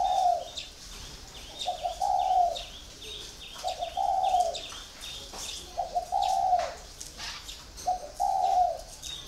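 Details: Caged spotted dove, four years in captivity, giving a series of low, hollow coos in short paired phrases roughly every two seconds. Rapid high chirps from another bird run throughout behind it.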